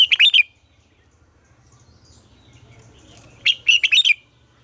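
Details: Captive-training morning song of a red-whiskered bulbul: a bubbling whistled phrase opens, silence follows, then a second rich phrase of four or five quick slurred notes, over soft low hum.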